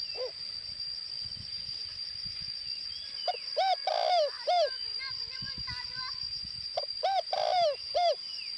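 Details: Northwestern Vietnamese decoy spotted dove gives two rounded coo phrases after a quiet start. Each has a clipped first note, a drawn-out middle note and a falling last note. Soft chirps from other birds and a steady high-pitched hum sound in the background.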